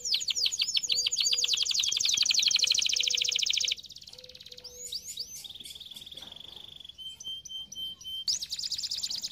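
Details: Canary song for training: loud dense rapid rolling notes over a pulsing faint low tone, then a quieter section of varied whistled notes, flat trills and a closing bright roll.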